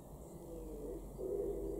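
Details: In a garden in Weener, East Frisia, northwest Germany, in May 2021, a Common Wood Pigeon gives a low, soft, hollow coo that swells in the last half-second, over a quiet background.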